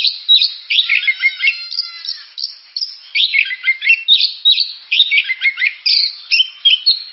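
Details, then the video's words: Oriental magpie-robin song made of busy phrases of twittering and whistled notes, some clear downslurs, delivered in bursts separated by short pauses. "Suara burung kacer"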